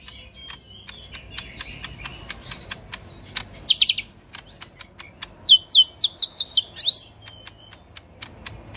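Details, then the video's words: Caged lesser green leafbird performing rough 'tembakan kasar' bursts. A brief dense trill comes first, then a run of about eight loud, rapid high notes, with dry clicks in between. "Cucak Ijo Mini Gacor Full Tembakan Kasar"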